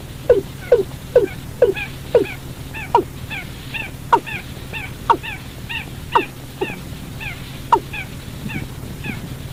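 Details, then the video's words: Night-trapping lure of a watercock: a fast run of short, dropping notes that slows to about one each second, mixed with quieter, higher arched notes and a constant low hum. "tiếng chim cúm núm"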